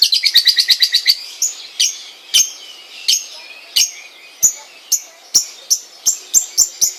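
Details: Long-tailed shrike kept at home, singing: a fast burst of about ten sharp high chirps in the first second, then single bright, clipped chirps spaced irregularly about every half second, with faint ticking in the background.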